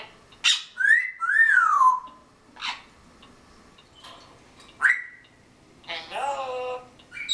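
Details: African grey parrot mimicking cussing, burping and coughing: sharp bursts, a gliding whistled note near two seconds, a short coughy burst, then a rich harmonic voice-like phrase at the end, with quiet gaps between sounds.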